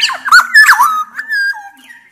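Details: Black-naped oriole, a bird from the Sumbawa region, singing loudly to prompt lazy orioles to sing: loud, fluty, slurred whistles around a steady pitch, with a few rougher squeaky notes in between.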